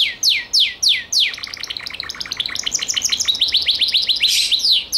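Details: A Gloster canary sings bright, high phrases: a few sharp downslurred notes, then fast rolling trills of repeated chips, about three per second.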